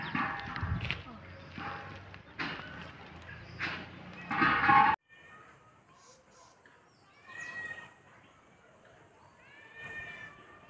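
Loud rustling and voice-like noise at first, then a black-naped oriole gives a few short, nasal, slightly rising calls spaced a couple of seconds apart.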